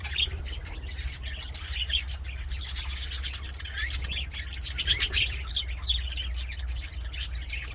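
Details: Budgerigars singing in an aviary: softer mixed twitters and whistled squeaks from many birds, with a strong low hum running under the whole passage.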